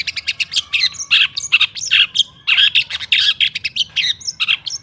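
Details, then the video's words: A long-tailed shrike's jumbled song, played to encourage kept shrikes to sing: overlapping harsh notes, squeaks and short whistles packed tightly together with scarcely a break. "Suara TERAPI pancingan cendet /pentet macet total , di jamin buka paruh , Masteran cendet."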